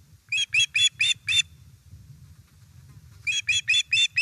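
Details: Osprey at a nest in Estonia on 1 September 2019, about 17:07, as a fish is delivered. Two bursts of bright, harmonic chirps: five quick notes, a pause of nearly two seconds, then five more. A low rumble runs underneath.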